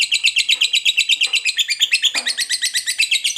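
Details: Long ngekek song of a fighter lovebird, played to draw other lovebirds into singing: a dense stream of shrill, scratchy chirps pulsing quickly and steadily throughout, with faint low knocks underneath.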